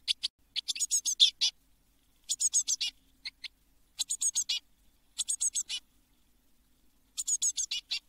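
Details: Seven Eurasian blue tit nestlings inside a nest box just before fledging at Midsummer 2022: short bursts of raspy high chirping, five or six quick notes each, separated by pauses of roughly a second, otherwise quiet.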